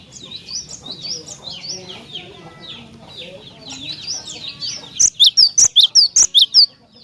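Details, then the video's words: Energetic cinereous tit song meant to draw other tits into answering: soft, jumbled high twittering first, then a crisp series of about eight loud, sharp, high-pitched notes. "Jika Glatik Batu Anda Di Pancing Dengan Kicauan Glatik Batu Gacor Ini"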